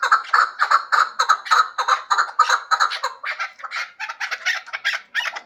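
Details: Hybrid chukar partridge giving a rapid series of hoarse chuk notes that grow harsher and more rasping toward the end.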